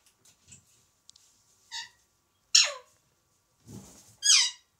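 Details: Alexandrine parakeet kept as a pet, out of its cage on a special stand in the evening, mimicking a cat. A short call is followed by two loud, raspy, falling meows. A little rustling and low sound lie between them.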